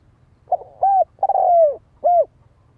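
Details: One four-note coo from a spotted dove, mellow and even-pitched, with the long third note gliding down before a brief closing hoot; faint low rumble beneath.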